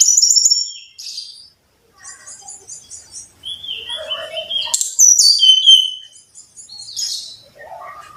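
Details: Varied song of a brown-chested jungle flycatcher used as a training recording for caged birds, mixing high whistled phrases, short descending slurs, brief pauses and a few lower warbled notes.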